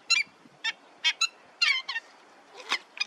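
Pied avocet giving short, clear, fluty 'kluit' notes, about eight in three seconds at an uneven pace, with no other sounds standing out.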